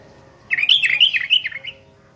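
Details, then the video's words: Sooty-headed bulbul calling out to an opponent, unedited natural voice: one quick chattering phrase of bubbly, rising and falling notes lasting just over a second, with a faint low hum behind. "SUARA KUTILANG GACOR MEMANGGIL LAWAN"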